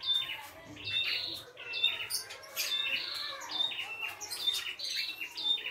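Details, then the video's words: A red-headed prinia in the wild delivers an energetic full song, high whistled and buzzy notes repeated rapidly, roughly once a second, with a dense chattering run in the middle. "PRENJAK KEPALA MERAH GOCOR FULL ISIAN"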